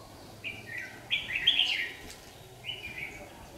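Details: Red-whiskered bulbul acting as a trapping lure, singing to challenge rivals in hot sun, July 2019: three quick warbling phrases, the middle one longest and loudest, against a steady low hum.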